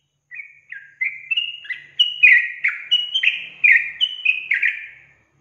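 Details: Sooty-headed bulbul song used as a lure to make untrained bulbuls agitated and sing: a series of short, liquid whistled notes that step upward and then drop, growing louder after the first second, in about eight quick phrases.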